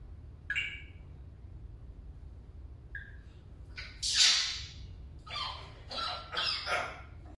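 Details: A pet parrot speaks Arabic religious phrases, saying subhan Allah and Allahu akbar: short harsh voiced bursts separated by pauses, the later phrases louder and broader, over a low background hum.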